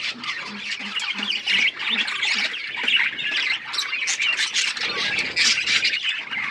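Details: Budgerigar song fills the air as constant raspy squawks and twitters. Soft low pulses repeat faintly in the first half.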